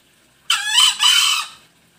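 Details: Green junglefowl in Bali, used as a lure call: one hoarse, high two-part crow lasting about a second, harsh and screechy with a brief break in the middle; otherwise quiet.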